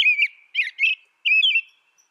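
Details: Series of whistled, gently rising and falling phrases from an American robin, four notes delivered in about two seconds with short gaps between them.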